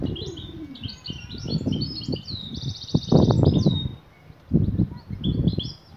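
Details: Female European goldfinch in breeding condition calling the male to mate: high, thin twittering notes and a short buzzy trill near the middle, over loud low thumps and knocking throughout.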